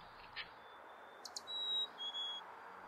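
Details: In summer, a male chickadee, soaked from rain, sings a clear two-note fee-bee outside the nest box to wake his tired mate inside, the second note slightly lower, after a couple of faint high chips, over a soft hiss.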